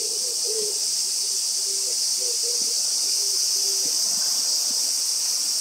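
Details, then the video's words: An oriental turtle dove gives low, soft hooting coos in short grouped phrases, then stops calling when another dove is heard; loud cicadas drone steadily in the high range. "別のキジバトの声に驚き鳴くのをやめるキジバト oriental turtle dove"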